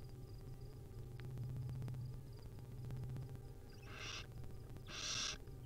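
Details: Barn owl nestlings begging as their mother feeds them: after a stretch of low hum and clicks, two loud, breathy screeches arrive close together near the end.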